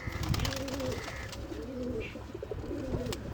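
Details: Pigeon giving soft, wavering coos, drawn-out warbling notes repeated several times over a steady hiss of background noise.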